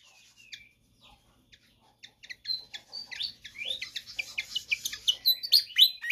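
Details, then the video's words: Pied fantail in vigorous song: a few scattered high notes, then from the second second onward a quickening series of sharp, bright chirps and rising whistles that grows steadily louder. "Sikatan Kipas GACOR Ngotot"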